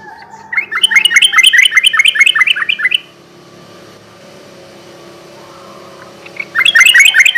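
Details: Rapid chirping runs from a sooty-headed bulbul in gacor garuda ropel style, played as a night lure: a dense series of short bent notes, then a long quiet stretch with low hum before the chatter resumes.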